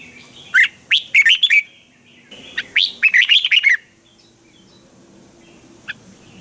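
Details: Spirited Red-whiskered bulbul from Thailand singing a training song: two consecutive bursts of quick, warbling slurred notes, each several chirps long, then a lone faint chirp amid quiet background.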